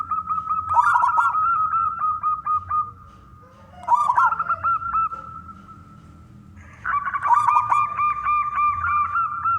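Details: Zebra dove of local wild stock, loud and persistent, meant to draw other doves into song: pulsed cooing phrases with stuttered rolls, a quiet gap of about three seconds, then a renewed, denser phrase.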